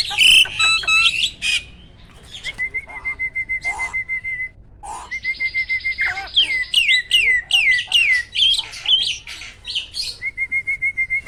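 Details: Competition starling kept caged alternating harsh bursts with long stretches of pulsed trilling, then a section of looping, wavering whistles and chatter before the pulsed trill returns.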